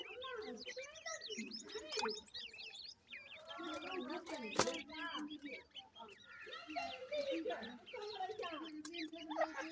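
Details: Grey francolin chicks from captive breeding, feeding: many thin, high, downslurred peeps overlap in a steady chatter, with lower clucking sounds underneath and one sharp click midway.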